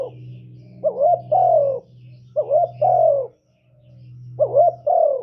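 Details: Spotted dove lure call used to attract wild doves: three rhythmic double coos, each a burry rising note and a longer descending hoot, spaced about one and a half seconds apart, with a constant low mechanical hum beneath.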